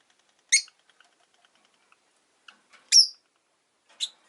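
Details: ['Three brief, shrill chirps spaced over about three and a half seconds from caged rosy-faced lovebirds, a group of five kept beside a window, with near silence between calls.']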